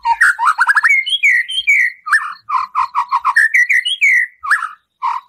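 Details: White-rumped shama in vigorous song full of fill-ins and harsh shots, used to provoke a captive bird: rapid stuttering whistles, clear rising and falling phrases, and bursts of repeated low notes that run almost without pause.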